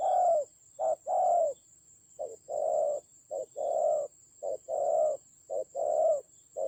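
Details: Spotted dove serving as a decoy in a fierce fight, Vietnam's Central Highlands, 19 October 2020, uttering repeated husky coos in short-then-long pairs at a steady pace, with a thin high hum in the background.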